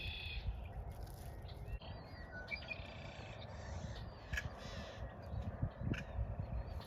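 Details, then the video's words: A busy chorus of yellow-headed blackbirds singing at a prairie pond near Saskatoon, Saskatchewan, on May 12. Scattered chirps, short whistles and brief rising notes overlap over a heavy low rumble of wind and movement. "okay we made it to the second pond area you can really hear the blackbirds here they're just singing away"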